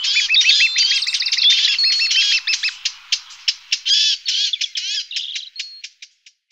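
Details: Lesser spotted woodpecker feeding its young: a loud, crowded chorus of high chirps and ticks that thins into separate sharp squeaks, then fades away in the final second.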